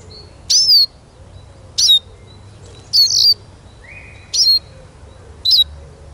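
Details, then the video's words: Eurasian siskin singing a series of bright high twitters, five to six phrases in six seconds, with a faint lower whistle in between. "Как поет чиж"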